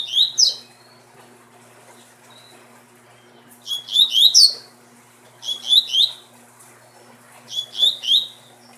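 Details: Caged male double-collared seedeater from a breeding line singing bursts of sharp, bright, metallic notes with quick rising and falling sweeps, phrases repeated roughly every two seconds after short pauses, with a faint low steady hum behind.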